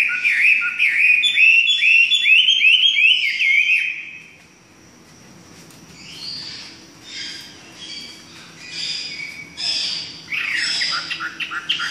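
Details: Chinese hwamei song opening with about four seconds of rapid, loud, slurred whistles in repeated rising-falling notes, then fading into quieter, scattered, varied phrases with gaps between them.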